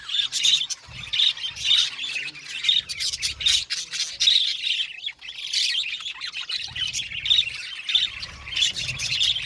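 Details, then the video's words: Colony of budgerigars in an aviary, busy high chatter with repeated sharp chirps and squeaks over a continuous scratchy background, with low thumping in places. "Budgies parakeets chirping sound | Cute Budgies birds singing sound"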